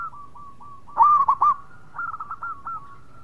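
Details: Zebra dove (perkutut) song: soft spaced coos leading into a loud stuttering trill, a short pause, then a quicker string of rolling coo notes at steady pitch.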